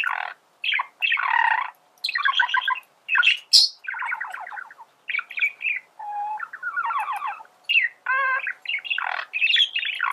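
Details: Singing male budgerigar, used for teaching other birds to sing; a continuous chatter of scratchy, rapidly wavering phrases with sharp squeaks and clicks, nearly unbroken for the whole stretch.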